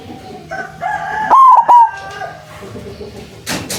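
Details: White zebra dove kept as a lure for trapping doves, with a loud voice: two powerful cooing notes close together amid softer overlapping tonal bird calls, followed by a brief hissing burst near the end.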